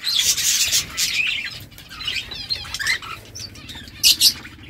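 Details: Chirping budgerigars give a fast jumble of high, raspy notes that thins into a few separate tweets, ending with two sharp, louder chirps.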